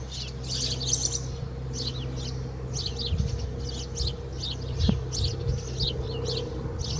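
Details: Repeated sharp chirps from a house sparrow inside a swallow's nest near Alikes, Kitros, Greece, coming in quick irregular bursts over a low droning background and one faint knock.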